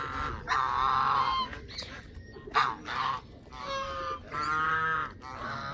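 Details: Canada geese honking: loud, nasal, harmonic honks drawn out in long runs, several birds overlapping, with short gaps between bursts over about six seconds.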